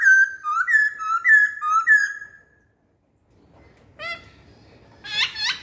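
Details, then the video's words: Masked laughingthrush delivering lure song: four paired rising-then-falling whistles in quick succession, then a silence, a single sharp note and a final pair of harsh rising notes. "Kicauan Poksay Hongkong"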